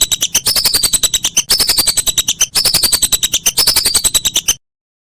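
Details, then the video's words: Whistling duck master recording for songbird tutoring: continuous quick, shrill chirps with falling whistles recurring about every second, ending abruptly in silence. "Masteran Burung Belibis"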